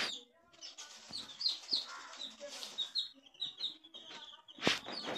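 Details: Coloured baby chicks, several together, giving high, thin peeps that slide downward, scattered irregularly and sometimes overlapping, with a few sharp knocks and a loud broadband burst near the end.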